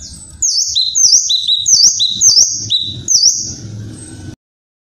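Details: Kinoi, a tropical bird, delivering a loud call of high dipping whistles each followed by a lower flat note, repeated rapidly about five times, over a low rumbling background.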